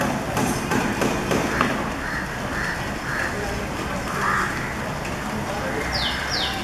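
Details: Coppersmith barbet (Psilopogon haemacephalus), call.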